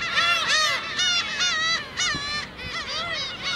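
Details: Black-tailed gulls gathered at Okuki, Hachinohe, Japan, on a sunny 9 June 2013 before fog set in, while a man feeds them; loud, harmonic, mewing calls rising then falling, repeated rapidly by many birds at once.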